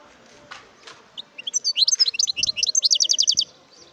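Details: Wild European goldfinch: a few soft sounds, then a lively run of high twittering notes that accelerates into an even, rapid trill of sharp descending chirps.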